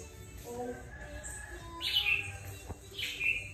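Red-whiskered bulbul giving two bright, liquid whistled phrases about a second apart, each sweeping down. Faint low tones hum in the background.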